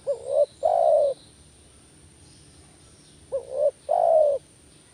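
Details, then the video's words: Two matching phrases of a spotted dove's luring call about three seconds apart, each a quick rising coo and a longer level coo, mellow and low with quiet gaps between. "panggilan tekukur males bunyi kuk 1"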